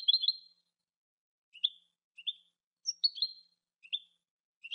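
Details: European goldfinch giving scattered short chirps and twittering notes, some rising and slurred, spaced irregularly about every half second to a second, with nothing else audible.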